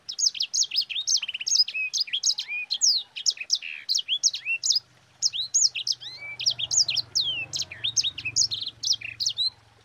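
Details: A yellow-fronted canary, called sanger, delivers a long rolling song used as a tutor for other birds: two extended bursts of fast, high whistled slurs, chirps and trills separated by a brief pause.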